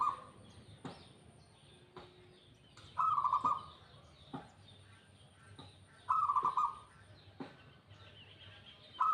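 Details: Zebra dove of a local variety delivering brief rattling coo bursts, each a quick run of pulses about half a second long, repeated roughly every three seconds, with scattered clicks and soft chirps from other birds behind.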